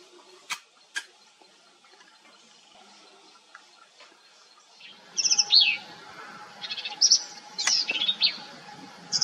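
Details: Black-capped Vireo song, filmed in Texas breeding range (Edwards Plateau hill country): quick, varied high phrases of squeaky and scratchy notes, starting after a quiet opening with two sharp clicks, over a faint steady hum.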